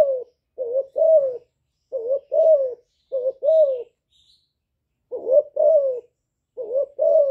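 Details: Young spotted dove decoy bird calling and bow-cooing to excite wild doves: mellow low coos in paired phrases, each second note longer and wavering, groups spaced by gaps of about a second.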